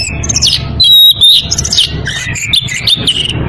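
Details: In breeding condition, an Oriental magpie-robin calls to a rival with high scratchy notes, a clear whistle, then rapid varied chattering phrases, steady low hum beneath.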